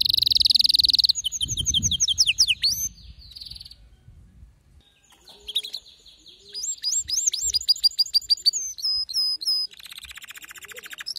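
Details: Male canary in a singing frenzy: a loud buzzy roll, quick sweeping whistles, a soft lull, then crisp repeated upslurred notes rising in intensity before a final high rattling trill.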